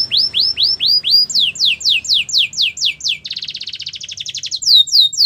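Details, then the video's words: Canary training song in three tours: rising curved whistles, then louder descending sweeps, then a dense buzzy rattle of rapid notes, finishing on high sweeping notes. "Canary singing in the wild | Canary training"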